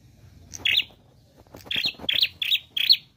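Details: Bursts of harsh, high twittering from a prinia in 'gacor' song with 'nembak' variations: one cluster, a short pause, then four rapid chirping phrases in a row.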